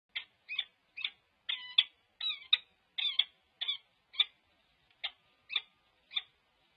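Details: Peregrine falcon, a new male, at a nest box on the morning of 16 December 2022 while scraping and making bonding displays with the resident female: about a dozen harsh, high chipping notes, roughly two per second, some doubled.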